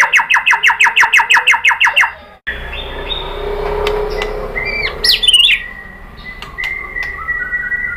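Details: White-rumped shama song to provoke other birds: a fast run of repeated chirps, then after a break soft chatter and long, level whistled notes.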